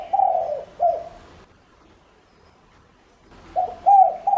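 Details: Spotted dove kept as a decoy, cooing to lure other doves: the end of a husky coo phrase, a silent pause of about two seconds, then a new phrase of low slurred notes begins.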